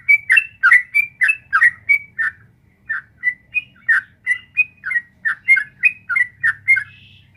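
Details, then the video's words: Long rapid 'ropel panjang' singing of a sooty-headed bulbul, meant to coax a kept bird into reply: quick chirpy notes tumbling on steadily, a few higher whistled accents, soft low rumble behind. "suara burung trucuk gacor ropel panjang"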